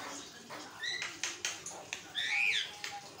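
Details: Javan myna (jalak kebo) in nonstop song used to train and provoke other mynas; scratchy clicks and rasping notes, then a loud arched whistle-squeal and two short flat tones at the end.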